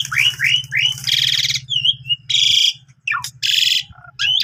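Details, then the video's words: Lively Javan pied starling song with a rich repertoire of borrowed phrases, used as a tutor for canaries: rising slurred whistles, dense buzzy trills, sharp falling notes over a continuous low hum. "Jalak Suren Tio Gacor Isian Full Cocok Buat Masteran Burung Kenari"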